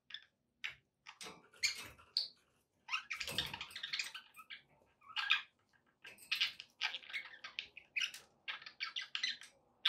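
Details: Scratchy, noisy budgerigar chatter with harsh broadband bursts and quick squeaky notes, repeated in irregular phrases over a faint background hum.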